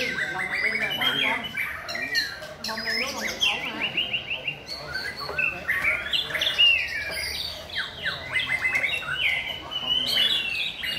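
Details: White-rumped shama sings in a rhythmic style, stringing together dense bursts of clicking notes, fluting whistles and rapid trills almost without pause.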